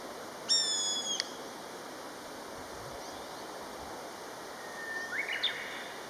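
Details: Common buzzard of a calling pair, peee peee: one strong, harmonic-rich, slightly falling whistled cry lasting under a second, then long quiet, and a fainter, rougher call near the end.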